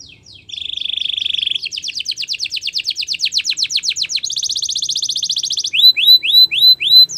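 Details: Spanish Timbrado canary training song: a low steady trill, a series of fast descending sweeps, a higher buzzing trill, then loud arched whistled notes repeated several times.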